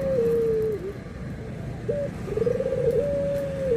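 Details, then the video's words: Barbary dove, called puter, cooing in anggungan style as white and brown doves are compared: a sliding long coo dipping at its end, a short hooked note, then a warbling rise into a steady held note; low background hum. "PERBEDAAN SUARA ANGGUNGAN BURUNG PUTER PUTIH DENGAN PUTER COKLAT"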